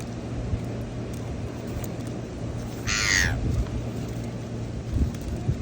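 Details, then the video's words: A gull calls once amid birds fighting for food at the beach. The cry is a single loud, raspy squawk lasting under a second, set against a constant low roar of waves. "Seagulls Fighting For Food"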